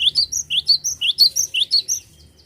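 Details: Cinereous tit in full, vigorous song: a rapid series of about nine short, sharp rising chirps at roughly four per second. Each note is bright and high, and the notes fade out at the end.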